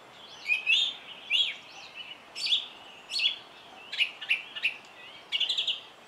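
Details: Song thrush in song, repeating brief whistled and scratchy phrases roughly every second, a steady thin tone running beneath the notes.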